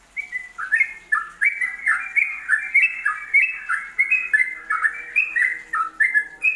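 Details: Yellow-vented bulbul ropelan song played for training songbirds: a steady stream of bright, bubbly whistled notes, each phrase dipping and rising again, repeated without a break over a faint hum.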